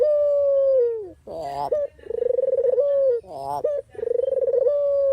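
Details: Dove (puter/deruk) cooing for training and trapping lures: a long level coo falling away, then alternating coarse bursts and pulsed trills that settle into steady coos, repeated in a regular cycle.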